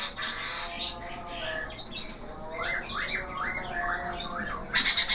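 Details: Australian parakeet (budgerigar) singing gacor with many varied notes: scratchy high chatter at the start and end frames a series of five or six arched, rising-then-falling chirps in the middle.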